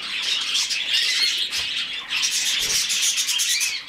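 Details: Hand-fed budgerigar chick producing rough, buzzy, rapidly pulsing squeals that swell and ebb without stopping.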